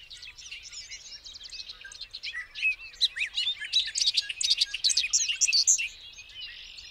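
A Bobolink's bubbling, tumbling song of quick metallic tinkles and squeaky notes, rising to a crowded, jangling burst midway, with faint low background rumble.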